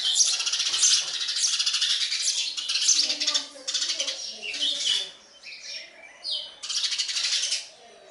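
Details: Sparrow nestlings being fed make loud, frantic high chirping for several seconds. It then breaks into shorter, quieter chirp bursts. Wing flutters are heard along with the calls.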